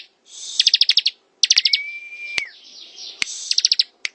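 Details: Ngebren song of a bar-winged prinia: short bursts of five to eight sharp high ticks alternating with a long level whistle, loud clicks cutting in twice, over a faint rushing high hiss.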